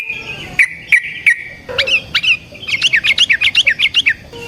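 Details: Yellow-vented bulbul giving a long fighting song used as a lure and for training other birds: a few sharp downslurred chirps, then a fast run of bright, slurred notes repeated roughly three times a second.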